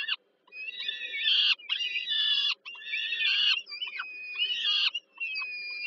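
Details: Peregrine falcon young fed by the mother, Warsaw, Poland, 15 July 2022, evening: rough, whining screams in clustered bursts, some wavering downward, with a quiet hum in the background.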